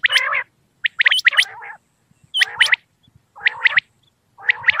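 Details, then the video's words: Common quail at night: repeated phrases of sharp, bright notes running into buzzy, nasal harmonic tails, recurring about once a second; no other sounds. "Batair ki awaz volume 10 common Quail sounds batair ka shekar بیٹر کی آواز رات کے وقت صوت السمان"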